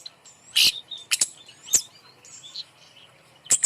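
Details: Bird, called kemade, hung up high and used as a lure to prompt silent birds to sing; sharp, very high chirps and short thin notes come in isolated bursts with brief gaps.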